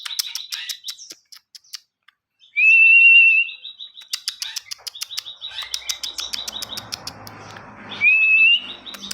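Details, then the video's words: Ciwah in full active song, used as tutor audio for other songbirds: bursts of sharp rapid ticking and chattering broken by two loud, rising whistled phrases, with faint low rustling in the background. "Ciwah gacor utk masteran burung"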